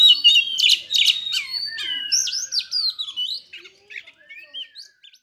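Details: Oriental magpie-robin in a rich, varied song: scratchy bursts at first, then clear rising and falling whistles and quick chirped phrases that fade toward the end.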